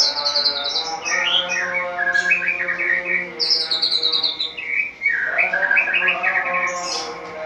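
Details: Caged white-rumped shama singing loudly at dawn after its cage cover is opened, in open-throated ngeplong style: long high trills, then lower warbled phrases and sweeping whistles, one brief pause midway, over a faint steady hum.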